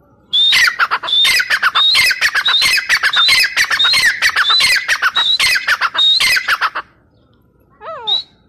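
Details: Grey partridge (teetar) calling loudly in a fast, harsh run of repeated notes, each with a high whistled tone over a grating lower part, about six seconds of steady repetition, then a short pause and one last note.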